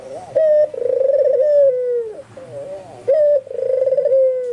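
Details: A white albino puter dove calls energetically. Each bright clipped opening note leads straight into a long, trilling, gently falling coo. Two phrases are heard, with a softer wavering coo between them.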